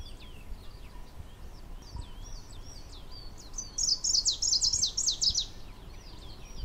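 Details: A Greenish warbler (Phylloscopus trochiloides) sings at 1,600 m near Château-d'Oex, Swiss Alps, on 28 June 2015, a rare record: a loud, high, rushed squeaky phrase after softer scattered chips, over low wind rumble.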